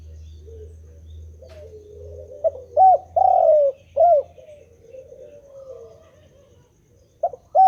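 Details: Non-stop calling of a spotted dove: soft low notes lead into a phrase of mellow coos, short, then a longer rolling note, then another short coo, another phrase starting at the end; low background hum.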